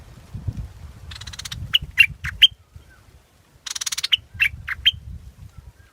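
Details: Scarlet-backed flowerpecker: a rapid, buzzy, rattling trill followed by three sharp, high ticking chips. The pattern is given twice, over a faint low rumble in the background.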